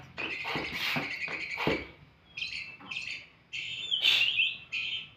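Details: Oriental magpie-robin singing varied "isian" phrases: scratchy chatters, then separated whistled bursts and a bright warbling trill, with background noise throughout.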